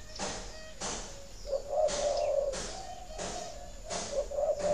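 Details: Spotted dove coo meant to encourage captive doves to lay, from a dove farm near Ba Vì, Hanoi, Vietnam; soft, low coo notes come in short bursts amid regular loud thumping knocks.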